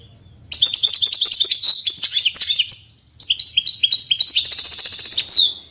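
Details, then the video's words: European goldfinch from Portugal giving two bursts of fast liquid twittering song, high tinkling notes mixed with buzzy trills, the second phrase ending in a rattling run and a sharp descending note. "Pintassilgo Português"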